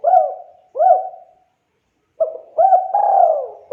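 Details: Spotted dove call used to draw replies from other doves: soft hooked coos in pairs, then after a pause a rapid run of coos ending in a long, level, drawn-out note, with no other sounds.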